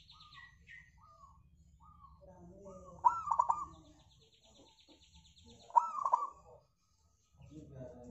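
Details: Singing local zebra dove, played as a lure to make other birds sing, gives two rolling cooing phrases of quick stuttered notes about three seconds apart; faint higher chirps from other birds come before them.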